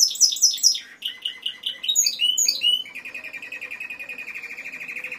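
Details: Song of a Timbrado canary: a string of very high, falling notes repeated rapidly, then rising whistled slurs, leading into a long, level, bubbling roll.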